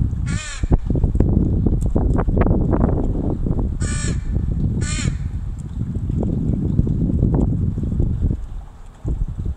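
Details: Mother crow teaching a baby to forage, 26 July 2019: three loud, raspy caws, one near the start and a close pair around four to five seconds, amid constant low rumble and clattering knocks.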